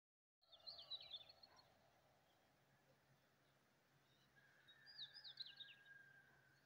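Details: Morning birdsong at Chanfi near Nainital, India: two quiet bursts of quick, high, twittering chirps, one at the start and one near the end, separated by steady soft background hiss and a faint sustained tone.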